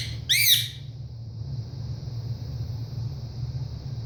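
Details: A pet male ringneck parrot gives a single loud, harsh, rasping squawk, a call he makes several times a day, especially when his owner leaves the room. It is followed by quiet over a low indoor hum and a faint high whine.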